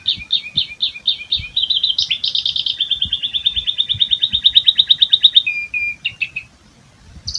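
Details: An Asian pied starling sings a continuous rolling mimicry song that copies other birds: shifting series of high chirps, then a fast rattling trill of about ten notes per second, ending in sharp whistles.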